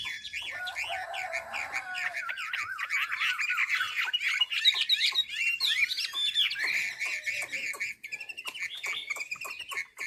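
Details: Ha Giang hwamei, Vietnam, in a dense, rapid stream of overlapping warbles and chattering whistles, closing with repeated rising notes.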